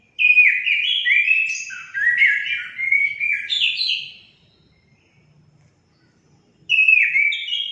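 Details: Orange-headed thrush song played to get pet songbirds singing: a loud four-second run of varied whistled and warbled notes jumping up and down in pitch, a silent gap, then a new phrase begins.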